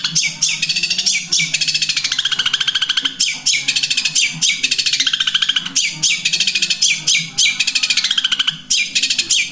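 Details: Long-tailed shrike singing a fluent style described as one breath, three songs: dense, rapid, high chattering and twittering phrases with quick repeated notes, running almost continuously with brief pauses, over a low steady hum.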